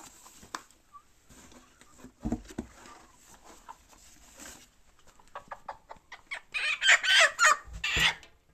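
A Marans hen gives a quick burst of harsh, squawking clucks near the end, after several seconds of quiet rustling and handling noises.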